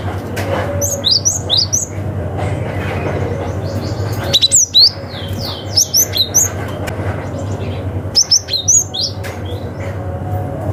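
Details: Cinereous tit calling to rivals in a forest-like style, meant to lure young wild birds: quick clusters of thin, high chirps and twittering notes in three bursts, with a constant low rumble beneath.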